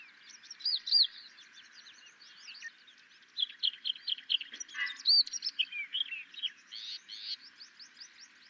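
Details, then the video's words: A Sykes's lark (Tawny lark) in Gujarat, India sings a lively, rambling jumble of high chirps, slurred whistles and trills in quick bursts, over a steady high background hiss. "Tawny Lark and its Song"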